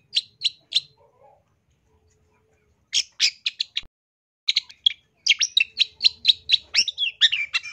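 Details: Active, loud long-tailed shrike singing for training: three sharp chips, a pause, then clusters of quick clipped notes building into a rapid chattering run with a few whistled slurs near the end.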